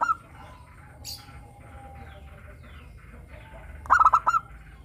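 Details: Local zebra dove in the morning. After a quiet stretch with a brief rustle, it gives one rapid phrase of four hollow cooing notes near the end.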